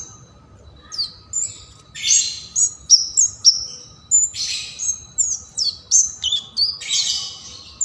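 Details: Bar-winged prinia singing loudly and shrilly, used for provoking and tutoring songbirds: bursts of high, sharp chirps and short whistled notes with quick downward slurs, in rapid uneven phrases, with a faint steady hum below.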